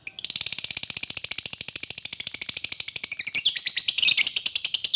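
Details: Fighter lovebird in long ngekek chatter, used to draw lovebirds into song: a rapid high pulsed trill for five seconds, growing rougher and more grating toward the end.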